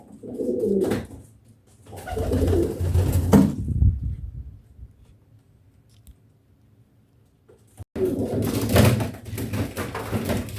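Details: Pet pigeons in a small room at mating and nesting time: two bouts of low coos early on, a quiet gap, then loud rustling or handling noise.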